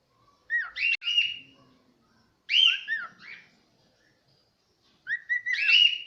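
A cockatiel sings in short bursts of bright, rising whistles, with quiet pauses between phrases.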